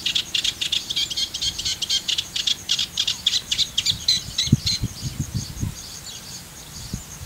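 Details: Eurasian reed warbler song at Parque Natural El Fondo, Valencia, Spain: a fast, steady stream of scratchy, chattering high notes, about three or four per second, with low thumps and rustles underneath.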